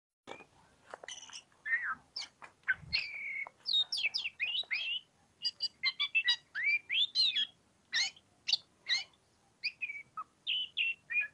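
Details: Oriental magpie-robin singing in the energetic ngobra style: a rapid, varied run of sharp whistled notes, rising and falling sweeps and short chirps, delivered in dense bursts with brief pauses throughout.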